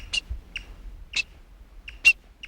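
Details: Black-backed Woodpecker in a severely burned forest on the Montana-Idaho border, probably the female calling near a nest while the male is on a drumming post: sharp high notes, two about a second apart, plus softer echoing clicks, like a drawn-out Hairy Woodpecker pik.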